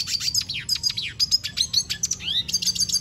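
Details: Continuous twittering song of a Venezuelan goldfinch, fast high chattering notes packed tightly together with a few rising slurred whistles toward the end.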